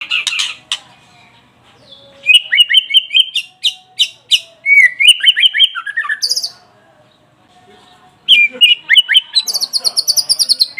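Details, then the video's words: White-rumped shama song played to provoke a caged bird into singing: loud rapid runs of whistled and chattering notes, bursts of fast repeated phrases separated by short pauses, high sharp trills near the end. "Pancingan murai batu pastol biar cepat bunyi gacor emosi"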